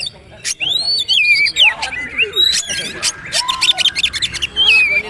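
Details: Magpie-robin song used as tutor recording for young speckled birds: varied loud whistles, sweeping rising and falling notes with sharp clicks and brief pauses, plus faint lower tones.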